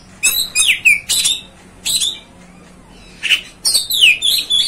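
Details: Oriental magpie-robin lure song aimed at rousing another magpie-robin: loud harsh rasping bursts alternate with bright down-slurred whistles, a pause near the middle, then a flurry of falling notes.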